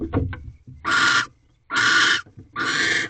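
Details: Pair of barn owls mating in a nest box at night, 2:38 am, egg already laid; soft low grunting notes first, then three long rasping, hissy screeches, each about half a second, separated by brief pauses.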